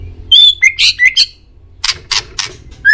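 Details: White-rumped shama, male, kept as a pet-bird training recording; short loud whistled notes rising and sliding, followed by harsh buzzy bursts repeated about every quarter second.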